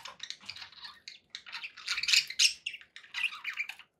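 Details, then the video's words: Pet budgerigars warbling continuously, a fast, jumbled mix of high chirps, trills and scratchy notes, rising in loudness midway. "budgie sounds"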